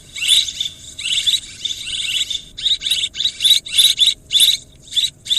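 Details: Swiftlets twittering for a farming lure, with continuous buzzy high chatter breaking into quicker separate bursts toward the end, each carrying a sharp whistled tone.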